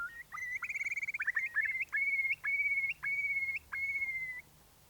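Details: At the nest during breeding changeover, a male Eurasian curlew responds as his mate appears: a quick stuttering run of notes, then four long, clear whistles, each ending in an upward flick, about a second apart.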